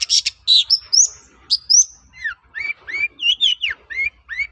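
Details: Lure song of a long-tailed shrike meant to set other shrikes singing back: rasping notes open into a varied string of clear, slurred whistles, many dropping in pitch, delivered in a lively, mimic-like sequence.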